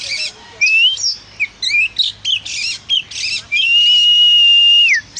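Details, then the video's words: Loud oriental magpie-robin singing, described as an energetic singer: mixed squeaky and raspy notes lead into a long, steady, pure whistle held for about a second and a half before dropping away. "suara burung kacer si gacor ini"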